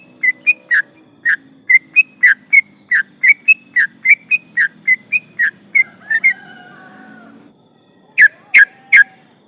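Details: Sooty-headed bulbul in loud gacor singing, a long rapid 'ropel panjang' style used as a lure to agitate rivals: quick run of short bubbly whistled notes, about two per second, a pause, then three sharp notes.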